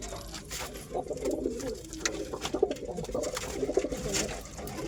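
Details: Pigeon, said to be real, giving low, soft cooing notes that rise and fall in long wavering phrases, with scattered clicks and rustling in an enclosed space.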